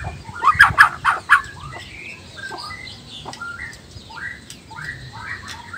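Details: Male white-rumped shama of the black-tailed Nias form, singing to provoke rivals: a few loud rough notes at the start, then softer scattered whistled and slurred phrases.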